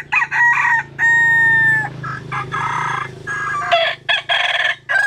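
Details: Japanese and Cuban bantam chickens sunbathing, crowing: several long harmonic crows with steady held notes overlap one another, broken by short gaps, over a constant low engine-like hum.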